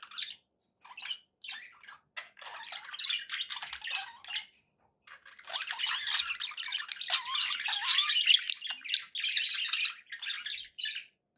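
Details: Several kept budgies warbling: scattered scratchy chirps at first, then a thick, continuous stream of buzzy, rapid twittering and squeaks that grows louder in the second half.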